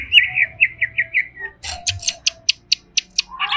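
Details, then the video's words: Agitated greater green leafbird in captivity: a series of quick warbled notes, then loud sharp clicks and chips repeated about every quarter second, ending in a rising squawky phrase. "SEKETIKA CUCAK IJO INI EMOSI"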